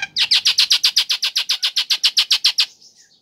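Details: Female Nias hill myna calling a male, used as a lure for birds that stay silent: a rapid, even rattle of about sixteen harsh, sharp notes over two and a half seconds, then a faint trailing whistle.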